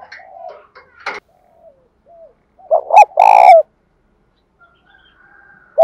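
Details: Captive spotted dove singing bổi-style coos: scattered soft low coo fragments and a sharp click, then a loud burst of two quick notes and a long rich coo, ending with one more short note.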